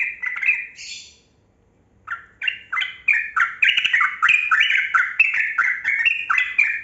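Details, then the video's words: Long rapid 'ropel' song from a kebo-type yellow-vented bulbul, played to stir lazy bulbuls into voice. A brief warble and high rasp, a pause, then an unbroken chain of bouncing, stepped whistled notes for five seconds. "Trucukan Kebo Gacor Ropel Panjang Pancingan Burung Buka Suara"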